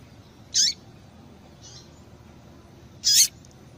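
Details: Calling female seedeater, played to excite males to sing: two loud, thin chirps dropping in pitch, about two and a half seconds apart, with a faint softer note between them.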